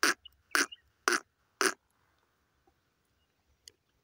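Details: Grey francolin pair calling, female voice included: four loud, harsh, broadband notes spaced about half a second apart, then near silence with a couple of faint clicks.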